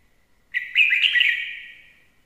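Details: Lure red-whiskered bulbul singing a bright, rich phrase: a quick opening note, then a run of fluid rising and falling whistles that ends in a long fading trail.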